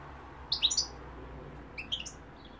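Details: European goldfinch, with London and Algeria mentioned, giving two short bursts of high twittering notes about a second apart over a constant low hum.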